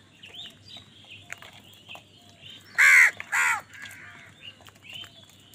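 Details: Quiet chatter from several birds, then two loud, harsh crow caws in close succession as crows fight wild birds for food.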